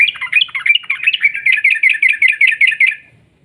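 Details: Yellow-vented bulbul giving a long rolling 'ropel' song used as a lure to make other bulbuls sing: a fast series of about fifteen clear, bubbling notes near mid-high pitch, gradually fading out, with a faint low rumble beneath.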